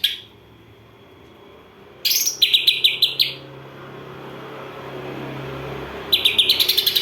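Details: Greater green leafbird with sparrow-imitation song: a sudden burst of quick, scratchy chirps repeated several times in a row, then a low hum, then another run of rapid pulsed chirping at the end.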